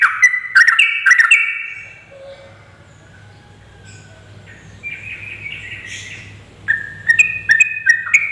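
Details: Female Yellow-vented Bulbul call, used to lure males and prompt them to chatter, gives bursts of bubbly, chattering mid-high notes, loud at start and end with a quieter stretch between, over a low hum.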